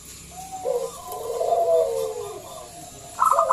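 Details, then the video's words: Local zebra dove calling loudly as a lure: a long, gently falling coo, followed at the end by a quick burst of clipped notes. "Pancingan Perkutut lokal SUARA BESAR"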